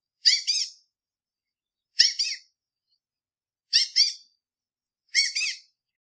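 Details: A Southern White-crowned Shrike from southern Africa gives four harsh, squeaky double-note calls, high-pitched and nasal, spaced about every one and a half seconds; nothing else audible.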